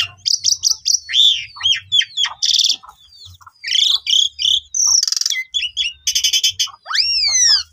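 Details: Asian pied starling song played to provoke silent starlings into long, vigorous singing: rapid varied whistles, slurred swoops, harsh buzzy bursts and sweeping rising-falling notes, with a faint low hum underneath.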